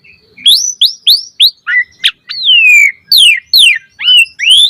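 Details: Asian pied starling (jalak suren) in full, varied chattering song, used as a lure for other birds: loud whistled notes sliding up and down between high pitches, some long descending slurs, delivered in quick irregular bursts.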